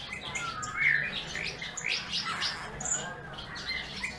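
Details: Bullfinch singing: soft, wavering whistles and warbled phrases drifting between mid and high pitch, with a faint low rumble in the background.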